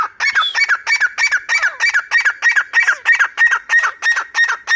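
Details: Grey francolin (teetar) calling: loud, harsh, metallic notes repeated in a fast, steady series of about three per second, each with a sharp ringing peak, continuing without pause throughout.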